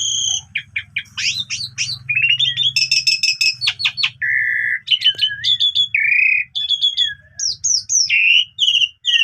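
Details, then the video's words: Morning song of an Asian pied starling, busy and varied, rich in borrowed phrases: stacked whistles, quick up-sweeping notes, a steady held tone, short rattles and piping calls in fast succession, with a faint low hum beneath. "Pancingan Pagi !! Jalak Suren Gacor Full Isian Cocok Buat Masteran Burung Kenari Paud"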